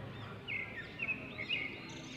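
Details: Edible-nest swiftlet nesting indoors in a stone house, giving three short, sharp chirps about half a second apart, with a faint higher twitter at the end over steady background hiss.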